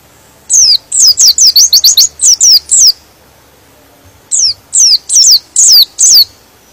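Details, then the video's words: A white-eye sings to excite other white-eyes into answering: a dense string of about ten shrill, falling chirped notes, a pause near one and a half seconds, then five more spaced downward chirps. "Suara Pleci ini bikin Pleci Lain Emosi dan ikut Gacor"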